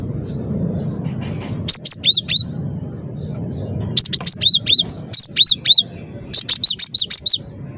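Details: Cinereous tit in vigorous song, repeating high, clear two-note whistles that fall from a sharp upper note to a lower one. Bursts of three to six phrases are separated by brief pauses over a low background rumble.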